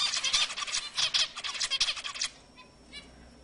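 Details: Zebra finch song meant to excite females into mating: a fast, buzzy, chattering run of clipped notes for about two seconds, then a fading background hiss.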